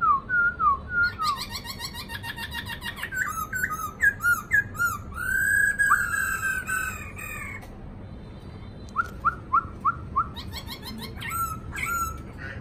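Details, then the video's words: Caged black-throated laughingthrush in song training delivers loud varied song: slurred whistles, rapid chattering trills and harsh bursts, then a series of five crisp rising whistled notes, with brief silences between phrases. "Khướu bạc má tố chất"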